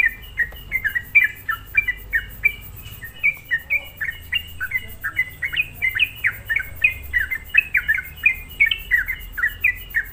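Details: Sooty-headed bulbul lure song to rile up other bulbuls: long, busy run of sharp downward-slurred whistles and chirps, closely packed and continuous, with faint low background hum.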